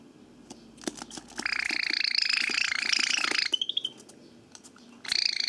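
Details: Pet Java sparrow let out of its cage on 7 June 2014, angrily confronting a pen while someone writes: ticking clicks build into a harsh, buzzy, rapid chatter lasting about two seconds, then a short trill, scattered clicks, and another buzzy burst.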